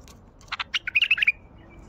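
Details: Wild Baghdadi bulbul singing: one short, lively phrase of quick chirped notes that rise into bright, fluty, warbled syllables, about ten notes in under a second. A faint low hum sits underneath.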